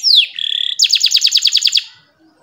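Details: Canary singing a short phrase used to tutor young birds and coax silent canaries: a falling whistled slur, an even buzzy note, then about ten rapid ringing pulses before fading.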